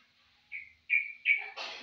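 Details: A caged yellow-vented bulbul, after two days kept covered, gives three short, bright, whistled notes in quick succession, followed by a brief rough, noisy burst.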